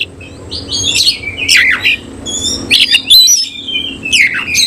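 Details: An oriental magpie-robin, semi-cililin style, sings with its tail open. Loud, widely swooping whistles and scratchy notes come in three or four separated phrases over a faint low hum.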